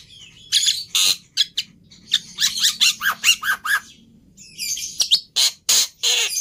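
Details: Black-winged myna uttering harsh, buzzy squawks and chattering notes in irregular bursts, with low hum behind.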